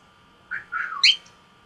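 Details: Gray male cockatiel, about 16 years old, caged at home, squawking instead of whistling back to his owner: three rough, raspy bursts within a second, the last loudest and highest, sharply rising then breaking off.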